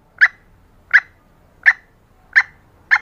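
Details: Female green junglefowl calling to lure males into mating readiness: short sharp notes repeated steadily, about one every 0.7 seconds, five in a row, with a quiet low hum behind.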